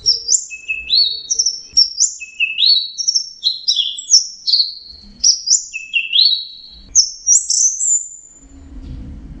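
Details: Orange-headed thrush singing, used to stimulate stressed birds that stopped singing: a long sequence of high, sharply falling whistled notes in varied pairs, rising at the end, with light background rustle.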